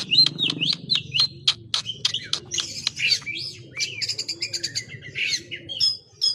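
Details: Oriental magpie-robin showing off its full song repertoire: a fast series of sharp high notes, then tumbling warbles, trills and whistled slurs in changing patterns, with a soft low rumble behind.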